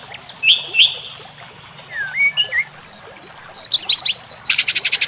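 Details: Song of a White-rumped shama, recorded for training caged shamas, over nature sounds and trickling water: a few scattered slurred whistles rising and falling, ending in a quick run of buzzy high pulses, with a steady high tone throughout.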